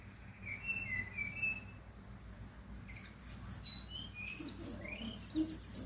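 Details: Song of a brown-chested jungle flycatcher from Bali: a few soft whistled notes, a short pause, then a rush of bright, high slurred whistles that sweep up and down in quick, varied phrases.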